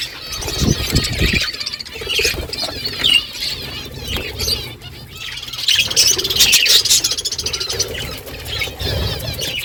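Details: A morning flock of budgerigars calling to each other: continuous high, scratchy warbling and chirps from many birds at once, with low fluttering thumps, likely wingbeats, early and midway.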